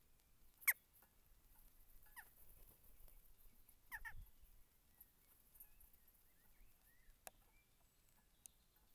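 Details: A group of jackdaws around a tree holding a bird feeder, some squabbling and flapping before flying off, gives a few short, sharp, scattered 'chak' calls, with one loud clipped note near the start and a brief harsh pair midway.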